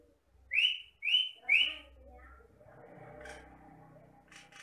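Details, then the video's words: Jalak batam myna giving three loud, upslurred whistles in quick succession, followed by low background hum and faint clicks. "MASTERAN BURUNG JALAK BATAM GACOR"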